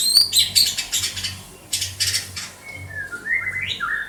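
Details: White-rumped shama in Banda Aceh: rapid rasping high chatter in repeated bursts, then clear whistled notes sliding upward and back down near the end.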